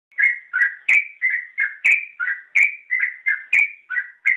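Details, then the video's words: Yellow-vented bulbul singing in gacor style, a training recording for cage songbirds: a steady run of short, bubbly whistled notes, each dipping or rising, delivered at a brisk even pace with brief gaps. "Suara Burung Trucukan | Gacor"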